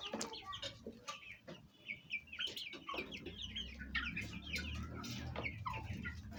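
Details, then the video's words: Fayumi chickens of Egyptian origin, hens and young chicks at home, eating and fighting; busy overlapping high chick peeps over soft hen clucking, with steady low hum. "Chicken sound effect at home| hen voice | chicks"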